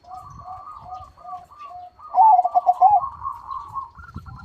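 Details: A loud-voiced crossbred zebra dove (perkutut) gives a quick series of soft, low staccato coos, then a louder rolling, trilled phrase. A faint low rumble runs underneath.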